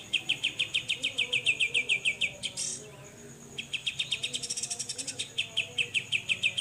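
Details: Grey-cheeked bulbul, 'besetan' song recording for training other songbirds: rapid, even series of hard chip notes, a short break with a scratchy burst, then the rapid chipping resumes over a faint high steady tone.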